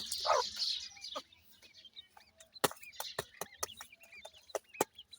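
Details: Peeping calls of grey francolin chicks: brief, arched, high chirps repeated at uneven intervals after a loud rustling burst at the start, with frequent sharp clicks in between.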